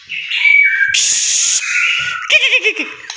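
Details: White-rumped shama singing loudly in a rich, varied burst: a sustained high whistle, a buzzy hissing band, then wavering warbled notes and a looping trill near the end.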